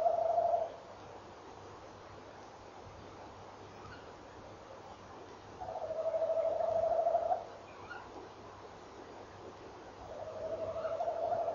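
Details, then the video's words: Early morning, 18 November 2013: a male tawny owl gives long tremulous rolling trills, steady in pitch, about every five seconds across the stretch while the female responds; faint higher short notes appear between trills against low background noise. "bosuil M rolt V antwoordt"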